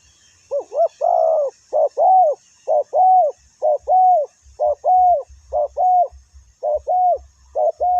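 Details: Spotted dove calling on the ground where wild birds are lured with a decoy: low, mellow two-part coos repeated steadily, roughly once a second, with faint low thumps in the background.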